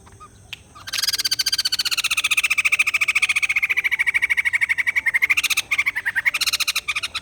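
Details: A long, steady rattle of rapid harsh pulses from a white-crested laughingthrush, its ringing tone sliding down and then rising near the end, with a few broken notes closing it.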